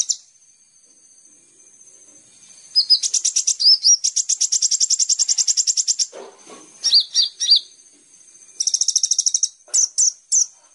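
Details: Sunbird known locally as kolibri ninja, on a lure track meant to spur caged birds into song: short rising whistles lead into long rapid high-pitched chip trills, broken by soft low notes, then more whistles and a final fast burst.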